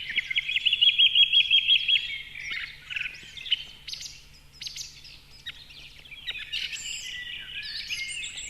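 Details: Osprey at a nest in Võrumaa, South Estonia, 2021, near a river and fish farm: a quick run of about ten shrill, whistled cheeps, then scattered high piping calls, over a faint steady electrical hum.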